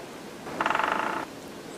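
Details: Grey-headed woodpecker in Titovsky pine forest, Shebekino, Belgorod region, filmed during the courtship season while coming down to suet: a quick, nasal chattering burst of about a dozen notes lasting under a second, over faint background hiss.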